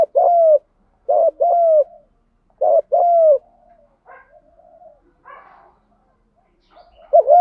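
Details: Spotted dove 'gù đấu' fighting coo, from cock and hen birds, for stimulating new wild-caught doves: three low phrases in quick succession, each a short hoot pair plus longer coo, then faint softer notes before another phrase begins.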